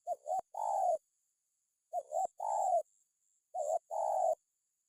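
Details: Spotted dove calling to intimidate a rival, repeating a three-part phrase about every 1.7 seconds: two quick rising notes followed by a long burry coo.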